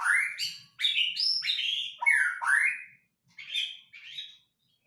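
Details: Lure recording of a white-rumped shama, meant to get a shama singing: loud rising whistled notes in quick succession, some buzzy, fading to softer short phrases and then silence.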